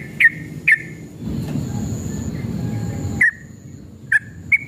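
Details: Sooty-headed bulbul, a male used to provoke other birds into singing: short bright chirped notes around two thousand cycles, spaced irregularly, with a steady low background hum and a faint high whine.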